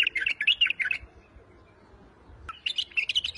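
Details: White-eared bulbul, wing-flicking, gives two bursts of quick chirpy, slurred notes, the first lasting about a second, then a silent pause before a second livelier run of bright twittering phrases.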